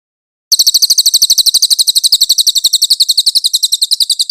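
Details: Clear master recording of a velvet-fronted nuthatch, used for tutoring songbirds: fast, high-pitched chirps repeated about four times a second in a continuous string, starting after half a second of silence.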